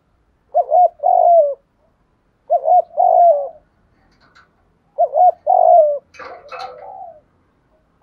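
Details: Lure call of a spotted dove, meant to draw in other doves: three repeated coo phrases, each a quick double note followed by a longer descending coo, plus a brief harsher burst near the end.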